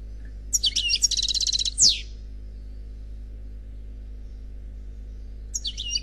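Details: Khalwi-style phrase from an unpaired European goldfinch on CD: twittering into a rapid even trill and a sharp descending whistle, then several seconds of silence before a new burst of chatter begins.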